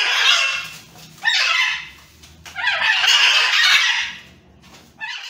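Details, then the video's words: Wild macaws fighting trade harsh, raspy screeches in four long, loud bursts over five seconds, with brief quiet gaps between outbursts. "Angry Parrots Fighting"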